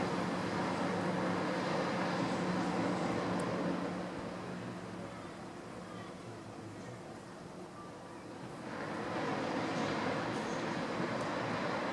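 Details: Steady low engine-like drone with broadband noise and a steady hum, easing midway and building again; no animal calls stand out.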